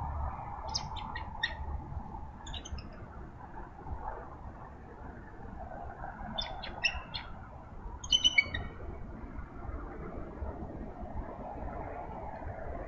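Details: Pair of eagles at a nest with two eggs in Minnesota, early morning in March, greeting the day as the male relieves the frosted female from overnight incubation; short bursts of high, thin chirping calls in several groups over steady low background noise.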